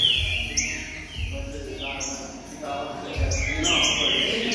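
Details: Green-winged saltator singing to warm up a caged pet bird: a few clear descending whistled phrases with gaps between them, partly masked by a low droning hum.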